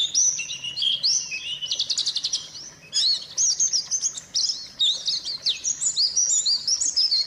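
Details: White-eye song used as lure audio to get silent white-eyes singing again: a fast, high, jumbled twitter of sweet chirps and trills that rise and fall in quick phrases with hardly a pause.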